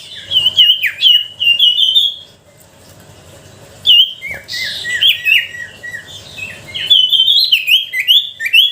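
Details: Lure song of a sooty-headed bulbul, used to coax silent bulbuls into song: clear, liquid whistled phrases, then a near-silent gap, then a fuller burst of bubbling, overlapping notes.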